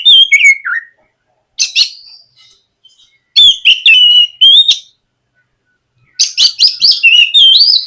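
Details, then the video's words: White-rumped shama singing as morning lure audio meant to prompt a young shama to start singing: descending whistled phrase, then clusters of clear slurred whistles and chips in loud bursts with pauses between. "SUARA PIKAT BURUNG KACER GACOR NGEPLONG MEMANCING KACER BAHAN AGAR LEKAS BUNYI & GACOR"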